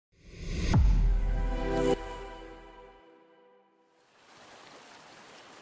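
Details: Two resonant piano-like chords ring out and fade, followed by soft hissing noise, with no animal sounds.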